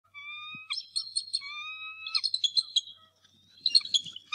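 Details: Adult male bald eagle at the Decorah North Nest angrily defending the nest against an intruder on a March 2, 2018 morning: long steady whistled tones with rich overtones, then rapid high chattering notes and a burst of shrill calls at the end.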